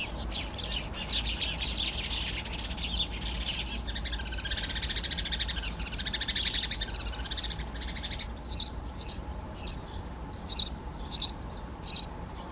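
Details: Great spotted woodpecker giving sharp, high, abrupt single kik notes about every half second in the final seconds, after a dense, buzzy chorus of other birds or insects fills the first two-thirds.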